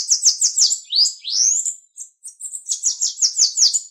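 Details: High, rapid bananaquit song used to get other birds singing, with a stuttering pulsed trill, a pair of rising slurred whistles, then another quick run of buzzy pulses that follows almost without a break.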